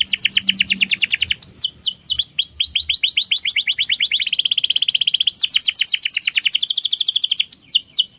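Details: Canary song played as a lure for a young bird learning to sing: continuous rolling trills of fast, repeated falling notes, shifting tempo and pitch from tour to tour without a pause.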